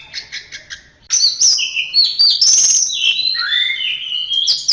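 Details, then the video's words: Orange-headed thrush singing on a tutor recording: four quick soft repeated notes open, then a loud, unbroken stream of high whistles and descending slurs lasting several seconds. "Masteran Suara Burung Anis Merah"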